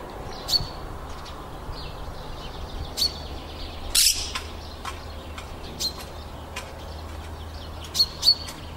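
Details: A monk parakeet on a fig tree at Baselga del Bondone, Italy, on 7 April 2014 gives short, sharp high chirps a few seconds apart, with one harsher grating squawk midway, over a steady low background hum.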